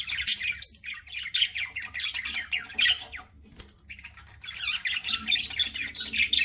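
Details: Budgerigars kept as pets chattering during feeding: fast runs of scratchy chirps and squawks, a brief lull in the middle, then the chatter resumes.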